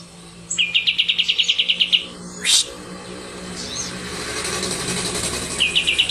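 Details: Kapas tembak white-eye of the Medan type, recorded on a Tuesday in June 2025, sings a fast rolling trill of about fifteen even, bright notes. A short sharp note and softer twittering follow, then a new roll begins.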